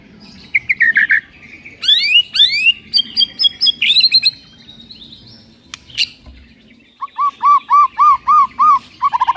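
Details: A white-rumped shama singing to stir a lethargic shama: varied rich phrases mixing rapid upswept high notes, trills and whistles, ending with a fast regular run of about ten short looping whistled notes.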